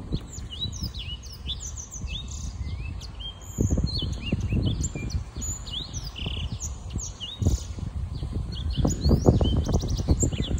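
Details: Six-month-old black-throated canary in a long, fast, varied song of high chips, trills and sweeping whistles, delivered almost without pause, while loud low-pitched bumps and rumble run throughout.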